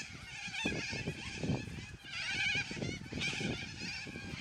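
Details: Yellow-crested cockatoos in a noisy flock, their loud, raspy squawks coming in overlapping bursts with brief dips between, over low thudding background noise.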